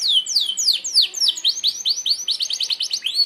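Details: Canary of the merlok type singing its sharp shot song, used for mastering other birds: a fast run of high downward-sweeping whistled notes, then quicker repeated chips, loud and clear throughout.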